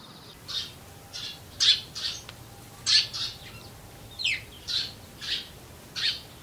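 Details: Eurasian tree sparrows living close to people, recorded across the four seasons of the year; harsh, buzzy chirps given singly or in quick pairs, about nine notes spread unevenly over six seconds, with soft background hiss.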